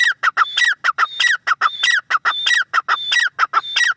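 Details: Grey francolin, known locally as teetar, calling in a continuous loud series of harsh clipped notes mixed with rising whistled phrases, about ninety-five notes a minute.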